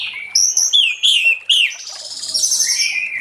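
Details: Late-afternoon ngeplong song of an orange-headed thrush, played to get other thrushes singing: a few bright, descending whistled phrases, then a softer, drawn-out warbling passage.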